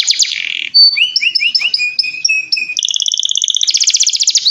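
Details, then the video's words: Canary in lively song: a buzzy high opening, then a row of short two-toned whistled notes, ending in fast, steady rattling trills high in pitch. "Kenari Gacor"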